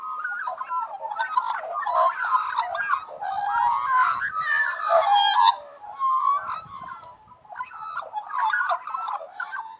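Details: Australian magpies warbling in a chorus, dense, loud, overlapping carolling and harsh rattling notes in long waves, briefly easing before building again.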